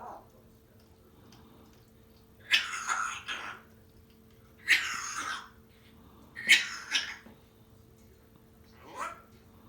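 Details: Pet African grey parrot indoors giving harsh, noisy coughing bursts, three strong ones roughly two seconds apart, each breathy and broad, followed by a fainter fourth near the end; quiet room otherwise.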